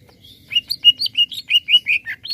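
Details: Greater green leafbird (cucak ijo) singing to stir up other birds: a quick string of clear whistled notes, some slurred downward, roughly ten notes in two seconds, with faint low background hum.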